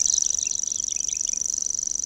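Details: A Common Grasshopper Warbler, newly arrived in spring (April) to breed in Urdaibai on the Cantabrian coast, Spain, reels without a break: a high, dry, insect-like whirring of rapid ticks held at one pitch, with faint other bird notes beneath.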